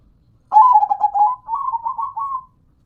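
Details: Kept local zebra dove giving one long song phrase: stuttered, pulsing coos that smooth into slightly higher, drawn-out rolling notes over about two seconds.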